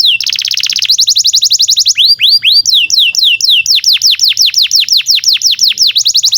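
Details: Canary in long masteran song for young canaries and ones that stopped singing: a dense rattling trill, then many repeated sharp downward-slurred whistled notes at a brisk, even pace.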